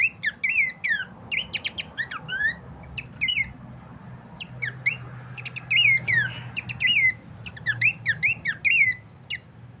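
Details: Bush babbler used as a master song for training cage birds: busy runs of sharp slurred chirps and downward whistles in bursts of about a second, with short pauses, over a low background hum.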